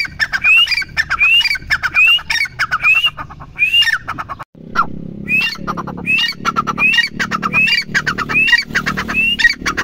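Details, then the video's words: Grey francolin (teetar) calling persistently with ringing rising whistles and harsh clipped notes; after a short break the series resumes over a noticeable low background hum. "teetar ki awaaz"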